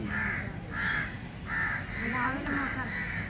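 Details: Crow cawing: five harsh, rasping caws in a loose series, about one every half second, with a brief human voice in the background partway through.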